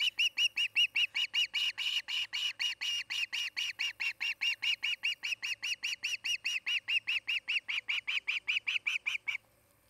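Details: Osprey of a nesting pair at Charlo, Montana, calling at length: about forty-five sharp, high whistled chirps over nine seconds, fast and insistent, with a faint low hum beneath.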